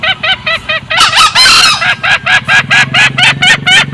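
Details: Loud lure call of male and female green junglefowl: a chain of short, clipped cackles about twice a second, broken once by a longer, harsh, crowing burst, over a faint low drone.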